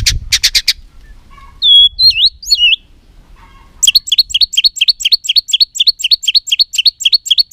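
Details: White-rumped shama female call meant to excite males into fighting, 'tạch líu' style: a few sharp clicks, then looping whistled notes, then a fast, even train of high chipping notes repeated several times a second.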